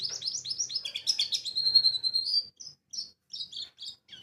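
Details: Pleci, the white-eye, singing a lure in ngalas style: quick high twittering notes run into a sustained thin whistle, then sparse clipped chirps with brief pauses.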